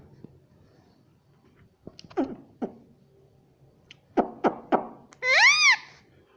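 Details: Rose-ringed parakeet mimicking the word "mummy": a run of sharp clicking ticks, then one loud, drawn-out, arching nasal call at the end.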